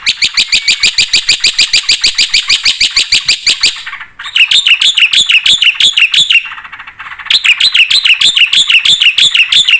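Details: Energetic full-fill-in song of a black-winged starling used to spur other birds. A long fast train of high, even chirps gives way to varied rising whistled phrases, broken by two short pauses.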